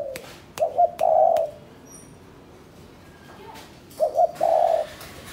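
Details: Spotted dove from Cần Thơ, Vietnam, a caged bird being trained as a ground decoy and kept in sunlight; two short bursts of low, hollow cooing notes, one at the start and one near the end, separated by quiet and a few clicks.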